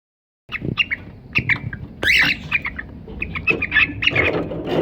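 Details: A pair of pet cockatiels gives short chirping calls in quick bursts, some rising and falling, with a louder squawking flurry near the middle and low rustling noise underneath.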